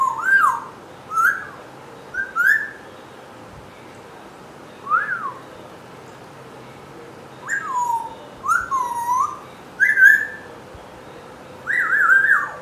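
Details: A 7-month-old pet African grey parrot trying to talk, giving about a dozen short whistled notes, some rising and some falling, at an uneven pace, with a few soft clicks between them.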